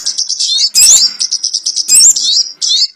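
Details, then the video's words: Sogon bird used as a trapping lure: a rapid series of thin, high twittering notes broken by louder, sharp squeaky bursts, all very high in pitch. "SUARA PIKAT BURUNG SOGON ONTONG"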